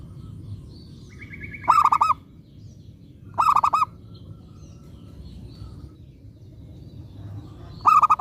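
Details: Zebra dove of local stock, singing vigorously as a lure to set other doves calling, delivers three rapid bursts of mellow rolling coos. A thin steady whistle from another bird comes just before the first burst. Low hum underneath.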